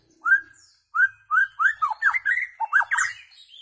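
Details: Shama song used for tutoring goldfinches and goldfinch hybrids: clear, mellow whistled phrases, first single slurred notes after pauses, then a fast varied sequence of rising and falling fluty notes with a few thin high squeaks.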